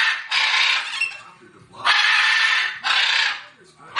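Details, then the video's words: Parrot giving loud, harsh, raspy screeches, each held for about half a second to a second, separated by brief pauses. "Sound Of Parrot"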